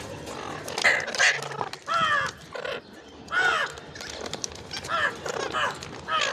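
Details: Ringneck parrot giving loud, harsh, arched screeching calls, about eight in six seconds, some doubled, with short clicking sounds in the gaps.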